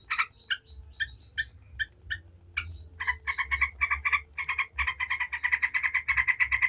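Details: Yellow-vented bulbul 'ngebren' song, a lure for other bulbuls: spaced, sharp single notes at first, then building into a fast, continuous rattling chatter.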